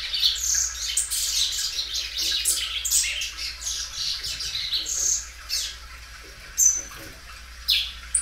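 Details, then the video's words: Caged Belgian canary, a well-kept singer that sings loud and stretches its song many times, giving high scattered chirps and short trilled phrases with brief pauses, a low steady hum underneath. "canário belga dobrando o canto."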